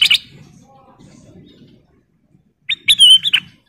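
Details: Female sooty-headed bulbul in vigorous song: a brief note at the start, then after a pause a loud phrase of a rising whistle, a sustained wavering note and a quick closing chirp.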